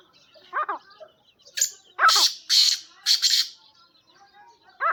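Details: Kept black francolin (kala teetar) calling: harsh, grating bursts, a couple of short lower notes, then three loud raspy phrases about half a second apart, ending with another brief lower note.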